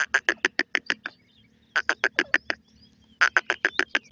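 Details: Francolin chicks calling: three quick bursts of sharp, clipped chattering notes, about seven or eight in each run, separated by short silent pauses, with a faint steady hum underneath.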